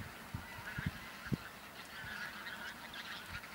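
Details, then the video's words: Bean geese, a flock of a couple of thousand in a field on Texel, Holland, 22 November 2014, half flying off; distant honking calls scattered through a steady crowd murmur, with a few low thumps. "Rietganzen (veel!), Texel"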